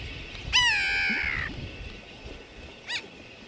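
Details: Grey-backed Tern (Onychoprion lunatus) on Johnston Atoll, 16 June 2001, gives one drawn-out nasal wail falling gently over about a second, then a brief clipped note, over soft background hiss.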